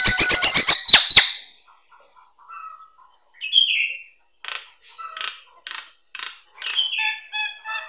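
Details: Nias hill myna singing, recorded as master material for training songbirds. It opens with a fast burst of hard, clicking pulses, then gives sparse whistles, a slurred falling note and a series of short, ringing chirps.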